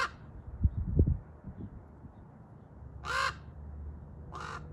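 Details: Large black raven making noises in a tree: two short, harsh, hoarse caws at about three and four and a half seconds, with low thumping and rumbling noise earlier.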